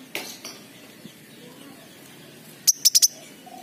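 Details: King konin sunbird, used as a lure sound for raw, reluctant birds that won't sing: two faint high chips, then after a pause four loud, piercing, evenly spaced high ticks in quick succession.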